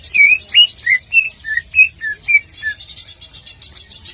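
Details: Leafbird song for contest training: a string of clear, downslurred whistles in quick succession, then a dry, buzzy trill held for over a second.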